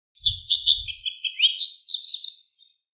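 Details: Continuous high, rich twittering from a Japanese wagtail near a river, a fast run of warbled chirps and slurred whistles lasting over two seconds, with a brief low thump at the start.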